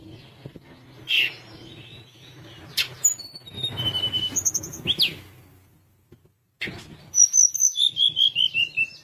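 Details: Sunda minivet, described as a lively, frequent singer. Near the end, a fast series of high, thin whistled notes slides downward and repeats about twice a second. Earlier come scattered sharp high notes and a low background rumble, with a brief silent gap.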